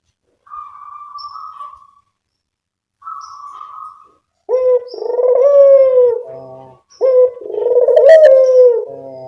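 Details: Barbary dove lure sound for attracting birds: two thin, level whistled notes first, then two loud, drawn-out low coos of about two seconds each, each slightly wavering and ending in a brief buzzy tail.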